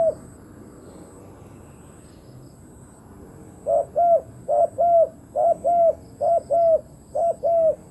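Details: Spotted dove acting as a decoy to lure wild doves; after about four seconds of near quiet, clear low paired coos begin, each double note repeated roughly every seven-tenths of a second in a regular run.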